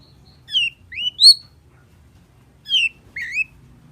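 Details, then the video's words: Long-tailed shrike, gacor full isian song: two short groups of clear, slurred whistles, each rising and bending upward, separated by a second of silence. "SUARA PENTET GACOR FULL ISIAN || CENDET GACOR"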